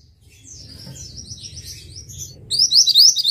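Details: Mantenan bird singing: thin, high, sliding warbles build into a loud close burst of rapid, upswept buzzy chirps, with a constant low rumble beneath.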